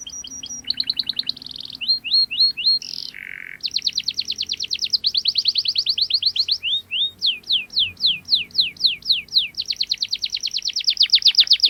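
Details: Canary in sharp, fast rolling song, with long trills of rapid high repeated notes, several changes of phrase and a lower buzzy burst, as a lure for young canaries learning to sing.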